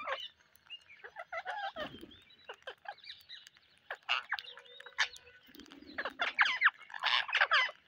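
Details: Parrots calling on a rainy day: scattered harsh squawks and wavering notes, a flat sustained tone in the middle, and a dense, loud cluster of screeches toward the close.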